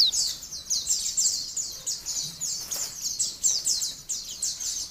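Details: Oriental white-eye song heard softer and more distant: a high, jumbled twittering of quick overlapping notes that rise and fall in loudness, over a light hiss.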